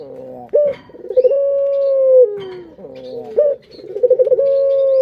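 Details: Pet puter dove calling to stimulate other birds, with a sudden accented note, a rippling roll and a long coo that eases downward, followed by another accented note and roll.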